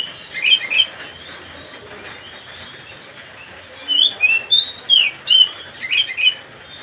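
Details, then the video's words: Oriental magpie-robin (kacer) song meant to provoke a rival bird: a short opening flourish, a pause, then a rapid stream of bright whistles and chirps. "mancing suara kacer biar emosi"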